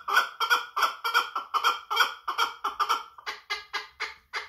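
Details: Chukar partridge from Kangurt, kept as a prized bird, calling: a run of raspy, clucking notes repeated about three per second, the later notes becoming harsher and noisier.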